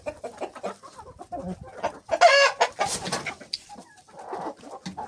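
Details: Hens and roosters pecking, with short clucks, then a loud harsh squawk near the middle, followed by quieter, scattered clucking.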